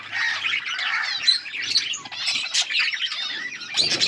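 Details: Yellow budgerigars on August 20, 2024 giving steady squawky, buzzy chatter and twittering throughout, with a rustle near the end.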